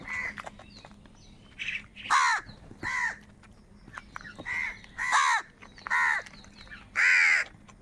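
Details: A series of loud, hoarse, nasal caws from crows fighting for food, spaced roughly a second apart, with softer calls and a low hum beneath.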